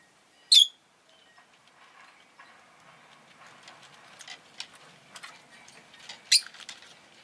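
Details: Rosy-faced lovebird giving two sharp, high, shrill chirps, one near the start and one near the end, with soft faint ticking and rustling between them.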